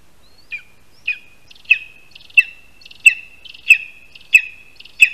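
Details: Lesser spotted eagle, nest in a spruce in Latvia, 22 August 2021 around 1:38 PM, first prey a rat handed over on the tree. Clear, loud series of about nine high, descending yelping calls, gradually intensifying, with a near-silent background.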